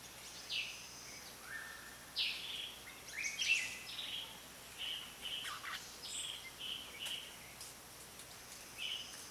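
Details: Red-whiskered bulbul, Pycnonotus jocosus, sings short whistled phrases of slurred and stepped notes at irregular intervals against a noisy hissing background, with a few sharper chirps mixed in.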